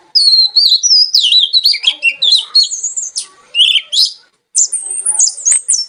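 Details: Oriental magpie-robin (kacer) in lively, melodious song: a dense, unbroken stream of varied high warbles, trills and sweeping whistles, with one brief pause near the end.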